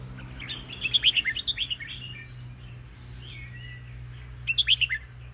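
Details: Red-whiskered bulbul singing in the fancy song style: two bursts of bright, quick, bubbling whistled notes, one near the start and one near the end, separated by a quiet gap, over a steady low electrical hum.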